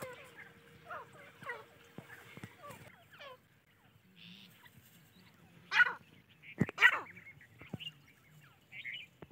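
Grey francolin chicks give thin, quick peeping calls, rising and falling, in a busy cluster at first, then scattered. Louder rustling bursts follow.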